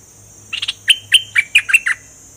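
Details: Thai-named dok taeng bulbul (Burung merbah lekir) in full plumage gives a quick run of about eight bright, chirpy whistled notes over a second and a half, over a steady high hiss and faint low hum.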